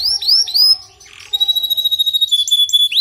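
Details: Canary song for a bird weak in singing: a run of upward-sweeping whistles, a short pause, then one long clear level whistle with faint higher notes.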